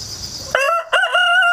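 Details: Rooster raised rurally after hatching in an apartment, crowing over and over on 1 September 2019; the crow bursts in over a steady insect drone with clipped opening syllables, then a strong held note.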